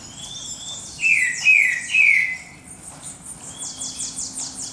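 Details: Dawn birdsong with three loud whistled notes falling in pitch, a long thin high whistle, and a series of fast, very high repeated notes near the end, against constant background noise.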